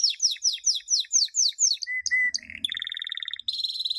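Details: Training song of a champion canary, 2016, meant for young birds to copy: rapid descending whistled slurs, a pure steady mid-pitched whistle, then a rising buzzy roll and a bright rattling trill.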